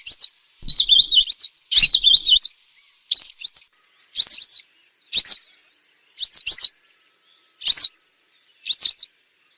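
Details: Western yellow wagtail, recorded for luring birds when hunting, opens with fast warbled trilled calls. These then thin out into single and paired shrill down-slurred notes spaced roughly a second apart.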